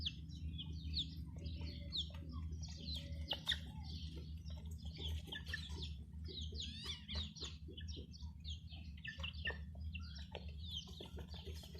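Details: A brood of chicks with their hen peeping constantly: many shrill, falling chirps overlapping in a busy chorus, with scattered clicks and taps and a low steady hum underneath.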